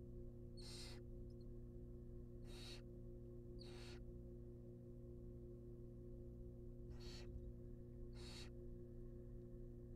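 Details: Barn owl babies in a monitored wild nest box, receiving a rabbit: five rough, hissing begging calls in two bunches, three close together then two more after a pause, over a steady low hum.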